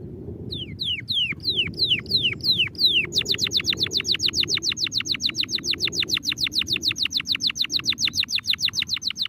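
A domestic canary sings a slow run of descending whistled notes, then breaks into a fast, even trill of sharp repeated chips lasting several seconds.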